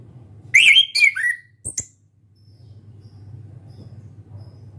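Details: Young orange-headed thrush kept in a cage, learning to sing: a brief burst of loud whistled notes with a rising slur, a sharp click, then quiet low hum.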